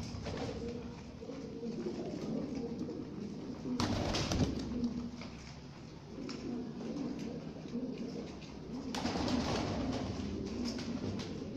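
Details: Lahori pigeons for sale give low, throaty rolling coos over and over, with brief bursts of flapping or rustling.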